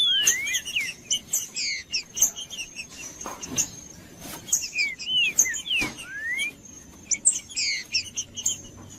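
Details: Green-winged saltator song used to warm up a cold captive bird, as kept by breeders for song tournaments in Brazil: clear whistled phrases sliding up and down, repeated several times, with a steady high thin tone and clicking noises throughout.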